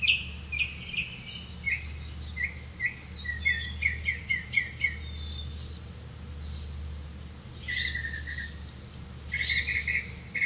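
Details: Red-vented bulbul catching crickets for its young, giving a fast run of short, sharp chirps and sliding notes for several seconds, then a pause and a couple of louder grouped bursts near the end, over a low hum.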